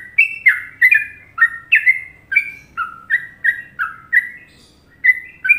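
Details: Fluty Trucukan-style song of an Indonesian sooty-headed bulbul, with a series of rich, downward-sliding whistles at an even pace, some notes doubled, ending after a brief pause.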